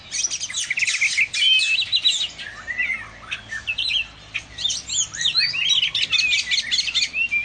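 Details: An oriental magpie-robin sings a rapid, continuous stream of varied chirps, trills and short whistled slurs, bursts tumbling quickly one after another over faint background hiss.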